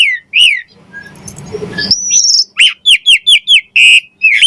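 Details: Javan pied starling song meant for training songbirds: a whistled opening, a brief noisy pause, then a steady series of about eight short, clear whistled notes repeated quickly.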